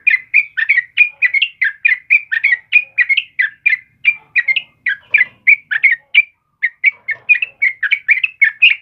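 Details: Yellow-vented bulbul in full, energetic song, used as a tutor for caged birds: a dense, continuous stream of quick chirped and whistled notes, about three per second, with one brief pause near six seconds.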